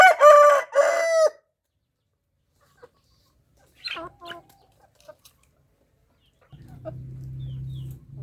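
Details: Rooster delivering a loud harmonic crow in the opening second, then scattered short squawks and clucks, ending with a low steady hum or engine-like drone in the background.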